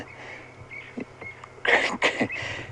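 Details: Crested francolin, noted as seeming in constant panic and noisy, on a sunset safari drive near water, 24 June: loud, harsh, rasping bursts, three in quick succession at the end, after a quiet stretch with a faint high tone.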